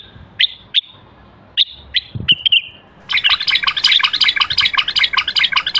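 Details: A bulbul, described as a Moroccan bulbul, gives a few clear, sharply dropping whistled notes spaced about half a second apart, then a dense, busy chatter of many bird voices takes over.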